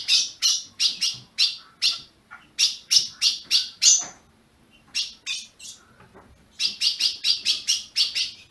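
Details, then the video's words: Ultramarine grosbeak in captivity in Brazil, calling to warm up a caged bird: quick volleys of sharp high chips, a quieter lull in the middle, then a rapid burst of about ten chirps. "Azulão piando"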